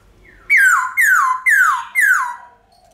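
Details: Forest-style song of a White-cheeked laughingthrush: four loud, ringing whistles in quick succession, roughly every half second, each starting high and sliding downward.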